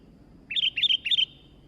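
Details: Sooty-headed bulbul, a newly acquired bird singing actively (gacor): three quick bubbly, slurred whistled notes sung in under a second, each rising then falling, over a faint low background hum.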